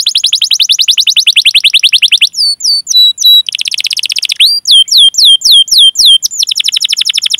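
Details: Canary song for luring other canaries into singing: fast rolling trills alternate with clear, looping whistled notes and sweeping slurs, all loud and continuous.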